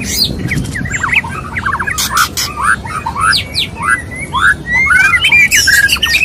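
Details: Mating call of a male white-rumped shama wooing a female: short upward-sweeping whistles and sharp clicks in a hurried, varied sequence, ending in rising slurred whistles.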